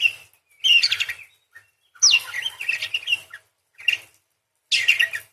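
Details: Lively parakeet song with rolling chatter: repeated bursts of scratchy, twittering warbles mixed with sharp upward-sweeping squeaks, each phrase about a second long, separated by brief pauses.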